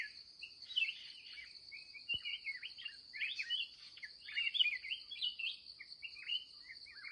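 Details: Red-whiskered bulbul, a wild and aggressive bird met late in the day while trapping, delivering rambling sequences of liquid chirps and slurs, one sharp click partway through, insect drone throughout.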